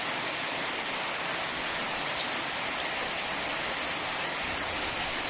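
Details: Little Forktail of the Taiwan endemic subspecies, a bird of mountain streams and riverside rocks, giving thin high whistled notes about every second, some paired, over a constant rushing of water.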